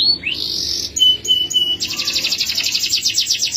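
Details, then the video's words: Male canary singing a bright, high phrase: a rising sweep and clear held notes, then a fast buzzy trill of rapidly repeated notes. "Male Canary (bird singing)"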